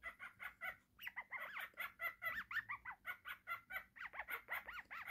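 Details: A pet cockatiel, described as happy and playing, chatters rapidly in a rapid string of short harmonic notes, many arched or warbling up and down, with brief pauses; a person laughs nearby.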